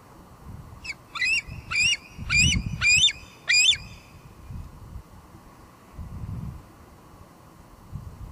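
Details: At Two Harbors in July 2022, a female bald eagle at the nest gives a quick run of six sharp, chirping squee notes, about three per second, then falls quiet. Wind rumble and faint cam hum fill the background.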